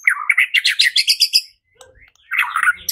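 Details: White-rumped shama, used to provoke fighting and singing, gives a rapid string of about ten evenly spaced chirped notes, falls silent briefly, then breaks into a dense scratchy warble.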